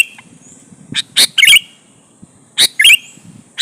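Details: Sooty-headed bulbul in full song, played to draw answering birds: short sharp notes and two bubbling, slurred whistled phrases, separated by brief pauses, with soft low rumble underneath.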